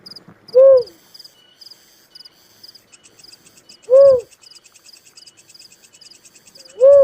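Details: Little cuckoo-dove giving single loud, arched, hollow coos about every three seconds, three in all, over steady high pulsing insect chirps.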